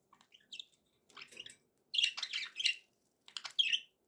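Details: Budgerigar chatter at modest volume: soft high whistles and clicks, then louder buzzy, squeaky warbled phrases with a bright rising note near the end, faint low rustling beneath.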